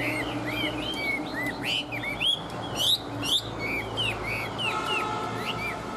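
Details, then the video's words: Tame Chinese hwamei, described as singing well, delivering a rich run of clear whistled notes, many rising then falling in arcs, with quick varied phrases and a few sharp higher accents against a low steady background hum. "Họa mi thuần hót tốt"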